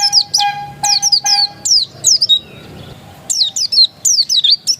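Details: Oriental white-eye of the pleci dakun kind, said to be still original, sings rapid high, downslurred notes in two runs with a pause between, accompanied at first by a pulsing mid-pitched tone.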